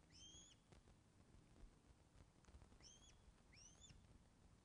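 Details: Osprey at the Loch of the Lowes nest, webcam audio from 24 August 2012, 14.10, fish delivery: three separate sharp rising-then-falling whistled notes spaced over four seconds, with faint low rumble beneath.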